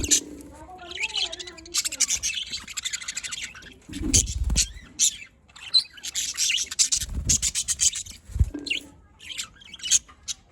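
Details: Several happy budgerigars kept as pets in Larkana, Sindh, chattering in a dense, scratchy stream of high chirps and squeaks, broken by a few soft low thumps.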